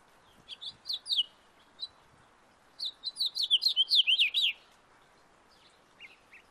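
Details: House finch singing in a backyard: a few scattered chirps, then a rapid warbling run of high, rolling notes lasting about two seconds, followed by faint single chips.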